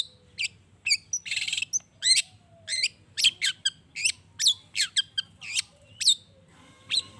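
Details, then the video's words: Long-tailed shrike singing to goad other shrikes into replying: a high, scratchy chirp series with a short buzzy rasping burst early on, then clipped, downward-sliding notes spaced about every half second against a low background hum. "Cendet Gacor Pagi Siang Sore...Merangsang Emosi Cendet Manapun Agar Cepat Nyaut Emosi Dan Ikut Bunyi"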